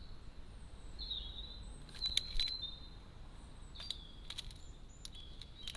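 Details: A great spotted woodpecker from a garden family of three (parents and young) visiting a feeder gives a few sharp, short 'kik' notes at irregular intervals, with thin high whistles between over a steady low rumble.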